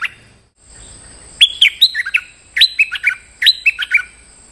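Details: A stripe-throated bulbul giving a lure call to draw out a territorial resident bird: three bright bursts of bubbly, chirping notes, each phrase dropping in pitch, about a second apart, over a faint steady high whine.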